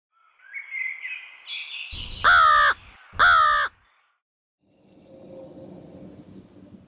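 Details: American crows at a seed bowl: two loud, harsh caws in quick succession about a second apart, preceded by faint softer calling and followed by low background rumble.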